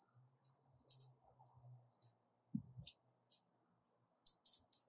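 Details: Bushtit (Psaltriparus minimus), a male collecting yarn for a nest, giving very high, thin lisping contact notes, single and in quick clusters of two or three, with short faint trills and a few soft low thumps.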